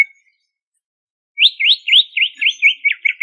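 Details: Greater green leafbird from Banyuwangi singing in lively ngentrok style full of fills: after a silent pause, a fast run of loud slurred rising-falling whistles, about eight notes in under two seconds, clear and clean.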